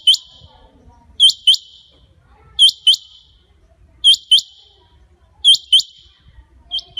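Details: Rain quail, recording used as a hunting lure, giving sharp, high, metallic double notes, 'whit-whit', repeated about every one and a half seconds, with faint low rumble behind.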